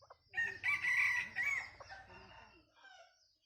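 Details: Bantam cock giving a laughter-like crow: a hoarse, wavering phrase about two seconds long that rises, breaks into several pulses and fades out in softer trailing notes, over faint low rumble.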